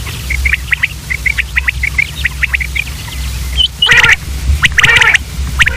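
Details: Common quail calling: short, clipped, whistled notes set in quick pairs and triplets that repeat steadily for several seconds. Louder, harsher bursts from other birds then take over. A low, steady mechanical hum runs underneath throughout.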